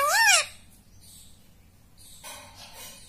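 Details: Pet rose-ringed parakeet indoors in a small room, taught to say mummy and papa; one short, loud, harsh arched syllable opens the recording, followed by near-silence with faint room noise.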